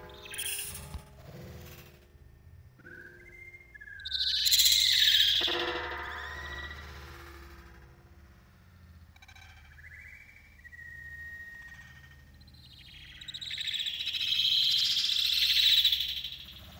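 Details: Pet budgerigars chatter in scratchy, warbling bursts mixed with short whistled notes.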